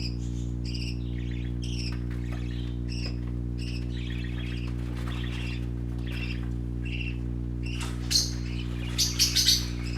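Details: Several baby parakeets playing give short chirps and chattering notes, sparse at first and then a louder flurry of sharp squeaks near the end, against a low droning hum.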